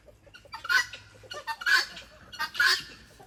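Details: Female helmeted guineafowl at a farm animal sanctuary near a creek gives loud, harsh, buzzy calls, three strong bursts about a second apart with softer notes between, while a male answers in the distance.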